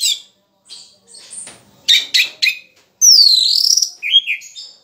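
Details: A captive orange-headed thrush that is still moulting but already singing actively gives a varied run of high, scratchy chirps and quick bursts. It ends in a long, clear whistle that slides down and rises again.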